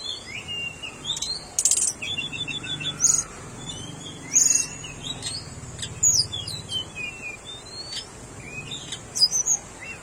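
Tickell's blue flycatcher giving short, high chirps and thin whistled notes at uneven intervals, some sliding up or down, over a faint low rumble.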